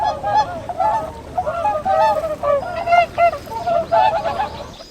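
A flock of swans honking, with many nasal, trumpeting notes overlapping in a steady, busy chorus that rises and falls in loudness.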